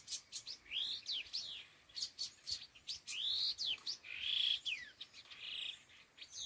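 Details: Khứu lùn, a laughingthrush, calling in the 'đôi hung gọi đằng' style. Quick clicky chirps run between rising-then-falling whistles and a long level whistle toward the end.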